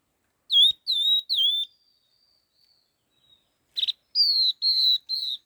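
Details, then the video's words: Laughingthrush in fast, rapid song. Three clear down-slurred whistles come in a quick row, then faint thin notes and a buzzy burst. Three more flatter whistles follow, about two per second. "Tiếng chim khướu lùi đuôi hung hót kích nhanh"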